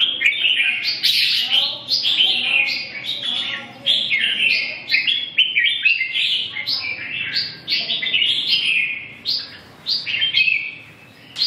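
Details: Red-whiskered bulbul singing a long, lively sequence of quick rising-and-falling whistled phrases, tightly packed with only brief breaks, ending in a short quiet spell.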